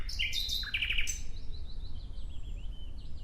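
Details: A short nightingale phrase in natural surroundings: a burst of bright whistles and quick trilled notes lasting about a second, then only faint high twittering over low background noise.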